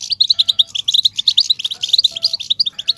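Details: Batbata twittering of the European goldfinch, used to excite male birds: a brisk, crowded run of shrill chirps, bright and steady from start to finish.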